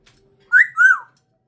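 An African grey parrot gives a clear two-part whistle, the first note rising and the second sliding down.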